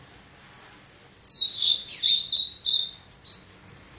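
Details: Sibite recorded in Parnamirim, Rio Grande do Norte. A dense run of very high, sharp twittering notes with a plunging then rising sweep in the middle, sustained for several seconds over light hiss.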